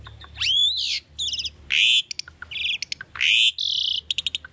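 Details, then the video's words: Tame Asian starling in a cage gives training song of loud swooping whistles, harsh buzzy rasps and stuttered trills, with a burst of quick clicks near the end. "asian starling singing video - starling bird training song"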